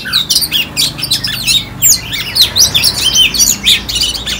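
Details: Loud, rambling song from a caged oriental magpie-robin in Ho Chi Minh City, Vietnam, one moult old, April 2021: quick sliding whistles mixed with harsh chatter and clipped high notes, delivered without pause.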